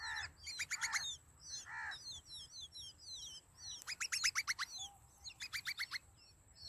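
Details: Sparrow nestlings in the nest begging for food from a parent: loud, rapid bursts of sharp descending chirps, interspersed with thin curved high squeaks, the bursts coming in clusters of four to six notes.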